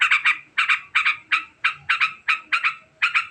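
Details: Sooty-headed bulbul in a very fast, long ngekek chatter: harsh, buzzy doubled notes recur roughly every third of a second in an even, insistent rhythm, with nothing else audible.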